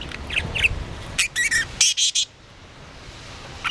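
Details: Pet budgerigar playing with a homemade toy, giving a short series of about five scratchy chirping notes in quick succession, with softer chatter before and room noise throughout.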